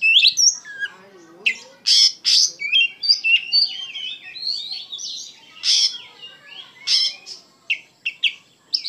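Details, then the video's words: Oriental magpie-robin singing energetically, 'full of emotion': varied whistled and chattering phrases, high and sharp, with slurred rising and falling notes and brief harsh bursts in quick succession. "KACER GACOR PENUH EMOSI"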